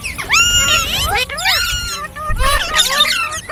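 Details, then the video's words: Green parrots chattering in a run of bright whistles and squeaky, speech-like sliding notes, some held briefly before dipping, with overlapping calls crowding the clip. "Beautiful Green Parrots Talking | Funny Parrot Sounds"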